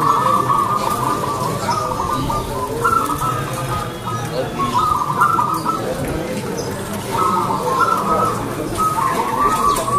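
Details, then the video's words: Zebra dove (local perkutut) singing actively with a clear voice: trilled, slightly rising cooing phrases repeat every few seconds over a busy, noisy background with faint voices. "PERKUTUT GACOR SUARA KRISTAL"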